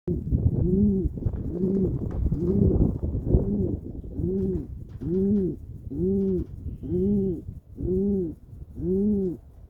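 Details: A pigeon sitting in its nest, twitching its wings, gives a steady run of soft, low, rounded coos, a little under one per second, over a faint rumbling background.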